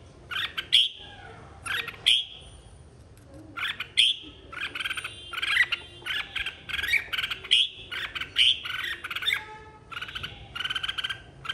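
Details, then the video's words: A red-whiskered bulbul in fighting song sings bright, bubbly phrases of high chirps and whistles, delivered in bursts about a second long with short pauses between. "Chào mào hót đấu"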